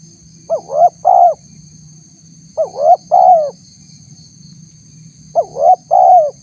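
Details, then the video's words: Spotted dove lure call used to draw in wild spotted doves. Three repeated cooing phrases, each a short note, an upward-sliding coo and a longer falling coo, spaced about two to three seconds apart over a faint steady hum. "suara tekukur PALING DI CARI untuk memancing respon tekukur liar"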